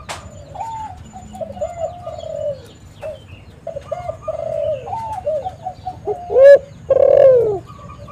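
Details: Spotted dove lure call. Several quieter doves coo in the background for most of the recording, then a nearby bird gives a short note followed by a long, loud, falling coo.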